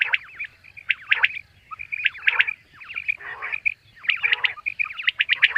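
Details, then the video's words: A common quail calls in the morning in sharp, liquid bursts of clipped high notes, repeated about once a second against a quiet background. "common quail bird sound"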